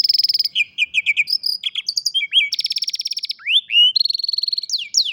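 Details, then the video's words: Canary singing, captured on a cellphone: a continuous high, varied song of quick repeated chirps, buzzy rolling trills and upward-swept whistles that changes phrase every second or so, clean and without background noise. "الكناري بالتأكيد ستحب غناء الكناري الجميل هذا Canary Singing"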